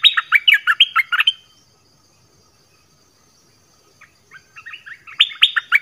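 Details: Nok dok taeng bird giving multi-phrase song: a brisk burst of eight chirpy, slurred whistles, a pause of nearly three seconds, then softer notes building into another loud, quick phrase.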